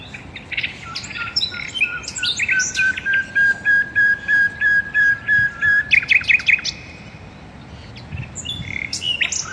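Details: Birds singing in a garden: a steady run of clear, evenly spaced whistled notes, followed by a quick buzzy trill, with other chirping birds around and a calmer stretch near the end.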